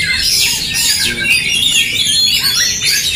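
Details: Oriental magpie-robins fighting in song: fast, tumbling high whistles and sharp downward slurs, densely layered and continuous, with brief rising notes recurring roughly twice a second.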